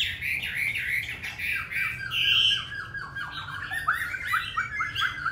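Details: Caged Hwamei from Hanoi, Vietnam, wild-voice style, delivering varied, slightly harsh notes mixed with a sustained high whistle and a quick series of short downslurred notes near the end.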